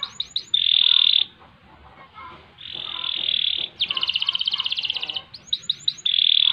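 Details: Canary singing in ngerek, ngerol and nembak styles: short upward chips, long harsh buzzy notes, a rapid rolling trill, more chips and another buzz, with faint low background noise.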